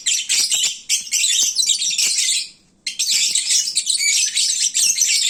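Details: Well-fed lovebirds squabbling noisily at midday while sleepy: a harsh, high chatter of many overlapping chirps that fades out near three seconds, then bursts back just as dense.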